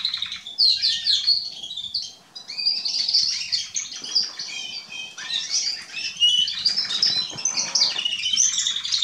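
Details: Group of Atlantic canaries and domestic canaries, young birds hatched in spring 2020 in Remscheid, pouring out overlapping bright warbles and rolling trills, briefly quieter around the second and sixth seconds.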